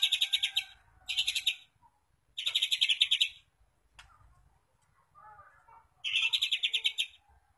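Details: White-rumped shama song played as a lure to get other shamas singing: loud chattering bursts of fast repeated notes. Quieter, softer twitters fill the gaps between the bursts.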